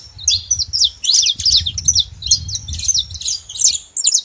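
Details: Wild flock of saffron finches, free in nature, giving a dense, overlapping stream of high, quick chirps and short slurred notes, packed almost without pause, over a faint low rumble.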